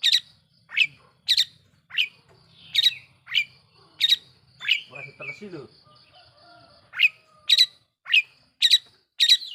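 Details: Long-tailed shrike lure song used to make rival shrikes angry: a rapid series of sharp, abrupt notes, a short rough burst in the middle, then the clipped notes quicken toward the end.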